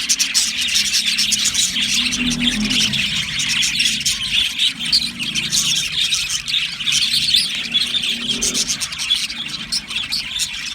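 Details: Aviary flock of Australian budgerigars chirping and singing happily: busy, high-pitched warbling from many birds at once, sharp chirps and occasional squawky notes scattered through continuous chatter.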